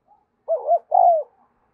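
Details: Decoy spotted dove cooing to draw wild doves in quickly: a faint short note, then two loud, mellow, hollow coos, the first wavering in two parts, the second longer and falling.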